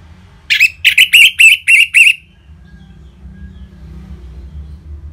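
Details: Orange-headed thrush singing in ngeplong style to stimulate caged birds: a quick run of six loud, clear whistled notes with a slight upward twist, all within about two seconds, then quiet with low background hum.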